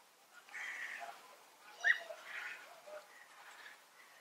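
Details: Rolling "prüt" contact calls of European bee-eaters, one bird responding to another: a few blurred, trilled notes in a loose series, one sharper call standing out in the middle, fairly faint over a steady hiss.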